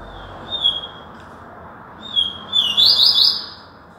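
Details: Yellow-bellied seedeater singing in Alagoas, Brazil: clear level whistled notes, a pause, then another whistle that runs into a rapid buzzy trill of about three fast pulses, over a low steady background hiss.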